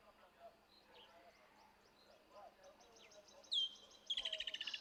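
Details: A single Woodland Kingfisher (Halcyon senegalensis), an intra-African migrant, gives its characteristic call: a sharp, high single note, then a rapid, evenly pulsed trill for about a second. Faint chirps of other birds sound beforehand.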